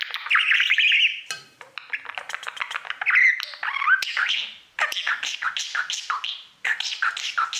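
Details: Budgie, male, singing to his mirror, a steady stream of buzzy chatter, clicks and short whistles broken by two brief pauses.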